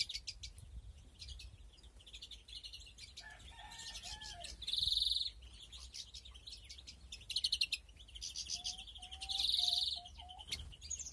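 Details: A European greenfinch in a breeding aviary with nests in 2021 twitters in quick high chirps with two drawn-out buzzy wheezes, while faint low whistled notes sound in the background.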